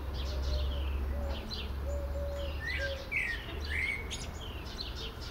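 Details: Blackbird song from a Port Orford cedar where one bird sings and the other listens; high scratchy twitters and a few warbled whistles over low repeated hooting notes and a steady rumble.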